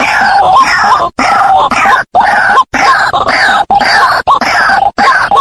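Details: White-breasted waterhen calls played as a lure for hunting: loud, harsh, croaking phrases with a nasal rising note repeated in bursts of about a second, separated by brief abrupt silences, heavily distorted.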